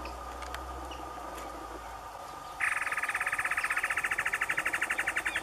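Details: A male great antshrike (Taraba major) in the caatinga sings a fast series of bouncing notes that speeds up as it goes.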